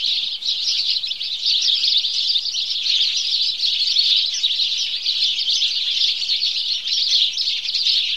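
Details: Steady morning chorus of house sparrows, countless overlapping chirps merging into a constant, loud, high twittering that never pauses.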